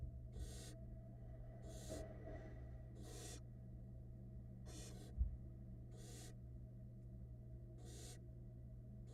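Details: Barn owl chicks in a Florida camera nest while the female feeds them, 2022: a series of seven soft, breathy hisses repeated at irregular intervals of one to two seconds, a single click midway, steady background hum.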